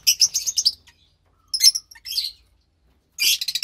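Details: Lovebird chicks, two nestlings, one pastel white and one tinged greenish, filmed March 3rd, 2021: short clusters of rasping, high chirps separated by silent pauses, ending with a loud buzzy flurry.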